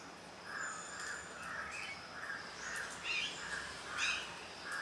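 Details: Juvenile grey hornbill uttering a long series of about nine soft, evenly spaced mid-pitched squeals, overlapped toward the end by sharper high chirps from other birds.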